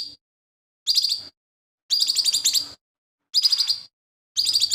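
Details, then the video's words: Lesser green leafbird singing vigorously, its song said to be filled with mimicked phrases of sparrows, shrikes and other birds; four loud bursts of fast, rattling high chirps, each under a second long, separated by short silences. "CUCAK IJO MINI GACOR"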